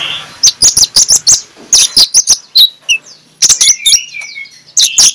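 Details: An Oriental magpie-robin, used as a morning lure for reluctant magpie-robins, sings a loud ngeplong song: a fast string of sharp, high chipping notes, a short sliding whistle, then more clipped notes and a descending warble.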